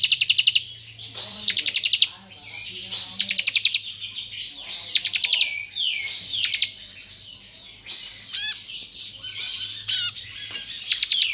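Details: Bar-winged prinia of the 'kristal' type, singing the lively 'ngebren' style, used as tutor recording to rile untrained prinias: bursts of rapid high ticking trills alternate with slurred, falling whistled notes, over a faint low hum.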